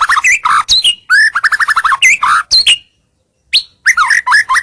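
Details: Lure song of a White-rumped shama to attract rivals, clear and energetic: dense mix of whistled upslurs, rapid trilled notes and harsh chatter, a short silence, then renewed varied whistles and twisting phrases.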